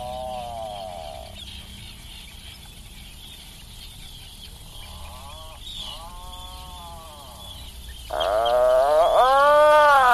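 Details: Atlantic puffin producing a series of arched, moaning groans, the first ones softer and broken by pauses, then a louder, rougher pair of drawn-out calls that swell near the end over a low hiss.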